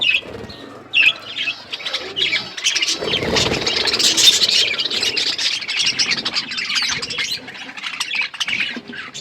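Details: Several budgerigars chirping while eating food: dense, overlapping buzzy warbles and squeaky chirps throughout, with a broad rustling burst around the middle.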